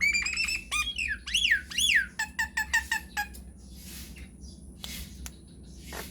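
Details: Nias hill myna in full, long-rolling song: clear whistles, loud arching up-and-down swoops and a rapid run of sharp clicking notes, then softer hissy rasps and scattered clicks.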